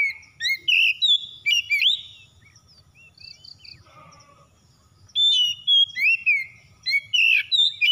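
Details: Household Oriental magpie-robin in full vigorous song, meant to prompt other birds to sing: loud whistled and sweeping notes in short clustered bursts, a quieter pause with faint twitters midway, then another run of bright rising whistles.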